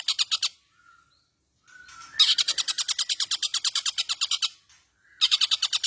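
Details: Singing long-tailed shrike in full voice with a rich repertoire: a short burst of rapid high chattering, a pause with a faint thin whistle, then a long fast run of sharp repeated notes and another burst at the end.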